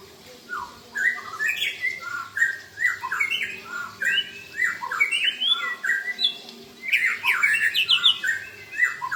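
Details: White-rumped shamas answering one another with rich, varied song full of imitated fill-in phrases: a fast run of whistled, sliding and chirping notes, each phrase different, with a burst of higher, sharper twitters near the end.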